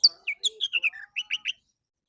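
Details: Orange-headed thrush singing in the morning, used as a lure so captive birds join in: a quick run of about a dozen clear, slightly descending whistled notes, then a short burst of three brighter rising notes.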